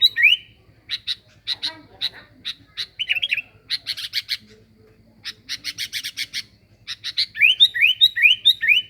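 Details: Sooty-headed bulbul in full song for luring birds: rapid harsh chattering bursts repeated more than twice a second, scattered with warbled notes, a short gap, then a string of bright rising whistled sweeps; steady low electrical hum.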